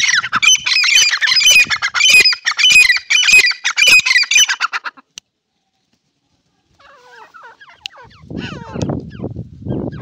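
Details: Iranian partridge calling: loud, harsh, rapidly repeated squawking notes in a regular series for about five seconds, then silence, followed by fainter scattered chirps and low rustling sounds.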